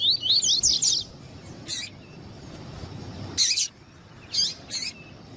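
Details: Double-collared seedeater with a female calling to stimulate the male; a brief burst of high zigzag whistled notes opens, then scattered sharp isolated chirps separated by quiet gaps.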